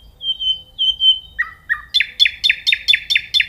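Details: Nightingale opens with soft, level whistles, drops to two lower notes, then hammers out a rhythmic run of about eight loud, harsh repeated notes.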